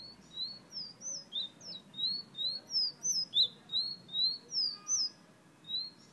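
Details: A fire red bird from Guyana whistling: a fast, steady run of short clear whistled notes, some rising and some dipping, about three each second, with a quiet room behind.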